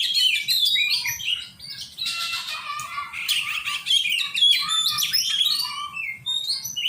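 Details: Oriental magpie-robin being trained to sing among enthusiasts: a rich, fast jumble of clear whistles, scratchy buzzes and quick chirps, loud throughout with brief dips between phrases.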